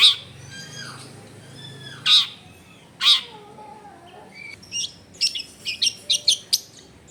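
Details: Long-tailed shrike in lively song, recorded in a crowded residential area: two harsh rasping notes, thin whistled slurs, then a quickening string of short, sharp chirps toward the end.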